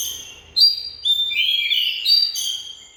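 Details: Oriental magpie-robin delivering a short run of sweet, high whistled notes, some level and some gently falling, in quick succession against a quiet background.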